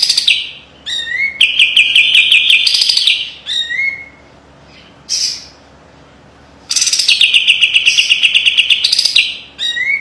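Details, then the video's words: Song of a kapas tembak white-eye, offered as master material for training, in a sharp, tight 'besetan' style. High rapid trilled chirp runs alternate with brief rising whistles and short silences, the bird heard alone. "SUARA KAPAS TEMBAK TAJAM DAN PEDAS‼️ SPESIALIS BESETAN RAPET PALING COCOK MASTERAN"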